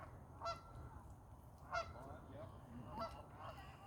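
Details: Fighting ducks give three separate nasal, honking calls with a rising onset, spaced about every 1.3 seconds, over a low background rumble.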